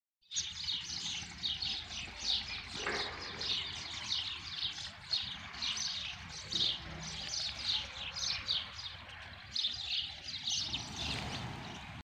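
House sparrows chirp continuously in a busy overlapping chorus of short bright cheeps, with a low background hum throughout.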